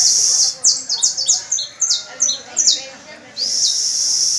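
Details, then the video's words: Young canaries rehearsing song with an adult canary on May 1: a fast series of high, descending, slurred syllables repeated several times each second, ending in a rising note and a steady buzzy trill. "Los discípulos practicando con mi Canario"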